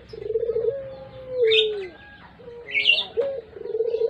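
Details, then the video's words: Lure bird of the puter pelung collared dove type giving a vibrating coo that flattens then drops away, followed by a short note and a fresh throbbing coo, with bursts of birds' chirps. "Burung puter pelung.cocok buat pancingan"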